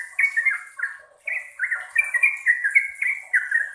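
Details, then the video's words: Long singing bursts from a yellow-vented bulbul, quick bubbly whistled phrases sliding down in pitch, delivered in a hurried string after a short opening note, with a thin high ringing tone in the background. "Trucukan Gacor Roppel Panjang - Panjang"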